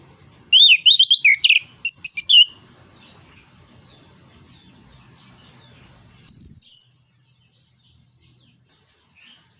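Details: Orange-headed thrush singing in the loud 'ngeplong nembak' style, used to stimulate and tutor other songbirds: a rapid burst of high, warbled whistles with sharp upslurs for two seconds, a pause, then one long falling whistle.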